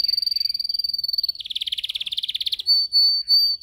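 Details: Canary in a cage, yellow, singing as training: a fast buzzy trill of repeated notes, a lower rattling burst, then several long pure whistled tones.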